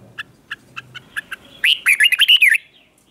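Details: Red-whiskered bulbul singing in the morning for training: several soft, spaced chips lead into a loud, fast, warbled phrase of bright rolling whistles lasting about a second.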